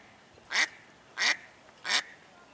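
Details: Upset female mallard duck swimming near the yacht club marina in Lakefront Promenade Park, calling repeatedly: three strong, raspy quacks evenly spaced about seven tenths of a second apart, with faint ambient noise between them.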